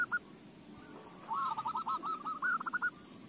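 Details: Zebra dove singing, recorded as a lure meant to make other doves sing: a single rapid, rolling trill of cooing notes, slightly falling then steady, after a brief faint note at the start.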